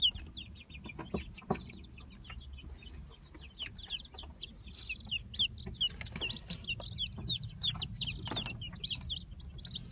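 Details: Brahma chicks offered for sale at the start of the 2018 season, many peeping together in thin, high, down-slurred notes that overlap continuously over a low steady background rumble.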